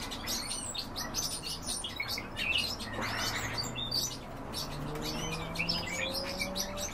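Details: Feeding European bee-eaters give repeated short trilled chirps throughout, several birds calling at once, while low steady humming tones run underneath in the second half.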